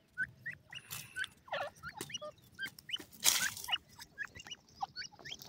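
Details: Partridge (teetar) calling: a run of short, sharp, rising whistled notes given irregularly, several per second, mixed with harsher broadband clicks and a brief louder burst near the middle.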